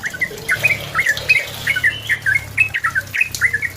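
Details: Yellow-vented bulbul (trucukan) singing energetically to pressure a rival into answering: a dense run of quick, slurred whistles and squawky notes tumbling one after another, with a steady low hum underneath.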